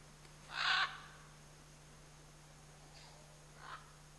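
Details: One of a pair of scarlet macaws in the Chiquibul area: a loud, raspy squawk lasting about half a second, then a much softer second rasp about three seconds later, over a constant low hum.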